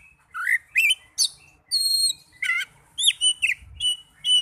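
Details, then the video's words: Singing Oriental magpie-robin (kacer), a recording for getting young or non-singing birds to sing: varied whistled notes, a long steady high whistle, a buzzy trill and short upslurred chirps in irregular succession. "Terapi burung kacer muda dan kacer macet bunyii"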